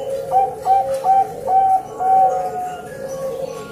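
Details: Bangkok-type female zebra dove calling a male, giving a rhythmic series of short, clear coos, some notes slightly drawn out, spaced roughly every half second, over a continuous low droning background.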